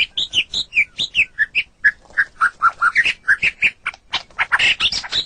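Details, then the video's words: White-rumped shama song used as a training model for captive songbirds: rapid varied phrases of clear whistled and chattering notes, many short bursts in quick succession, some high squeaky notes near the end. "Ocehan Burung Murai Batu"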